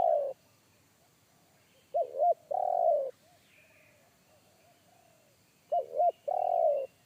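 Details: Forest spotted dove with a deep bass one-kuk call, which a trainee decoy dove avoided. The tail of one phrase, then two complete phrases nearly four seconds apart: paired short coos leading into a long rolled coo. A soft chirp sounds in between.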